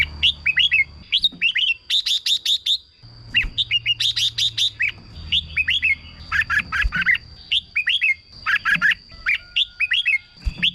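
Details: Red-whiskered bulbul singing in lively rapid phrases meant to rouse caged birds, clusters of bright whistled chirps and downslurred notes repeated almost without break, a persistent high-pitched tone and low hum in the background.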